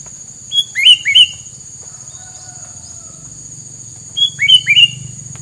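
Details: Two separate bursts of bird song, each a high level whistle followed by two or three rising slurred notes, with a quiet gap between them and a constant high-pitched whine behind.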